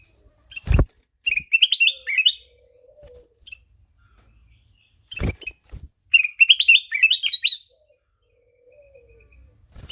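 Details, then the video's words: Black-naped oriole song: two phrases of quick chirped notes, each climbing stepwise in pitch. The phrases are about five seconds apart. Sharp knocks and a steady high electronic whine run in the background. "SUARA MERDU KUTILANG EMAS"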